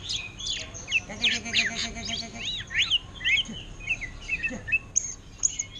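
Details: Greater green leafbird, kept caged, delivers a song copying orange-headed thrush style, with quick varied chirps, sharp upslurred whistles and buzzy twittering notes in irregular bursts, with faint background noise.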